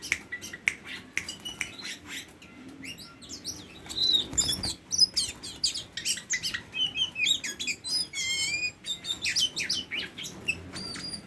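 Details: A tame Oriental magpie-robin sings a fast, varied song of sharp whistles, chirps and slurred notes, some rising and falling, delivered in a nearly continuous run with brief louder bursts.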